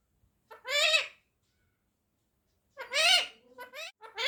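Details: Pet Indian ringneck parakeet calling its owner "mommy": two loud, harsh, harmonic voiced phrases about two seconds apart, the second followed by a few short clipped syllables, with silence between.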